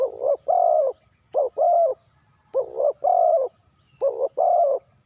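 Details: Spotted dove, Ninh Thuận, Vietnam, three-coo hanging style: a short dipping double note then a rounded long coo, repeated four times about every 1.3 seconds in a quiet setting.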